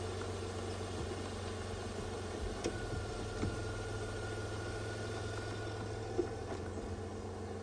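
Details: Steady low rumble of an idling vehicle engine during a sunrise safari drive in Sabi Sand on 22 May 2016, with no animal calls heard.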